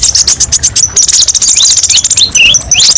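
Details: Sharp song variations from a brown-throated sunbird (kolibri ninja) meant for training: quick high chips, then a rushing glittering trill and a few quick slurred down-notes.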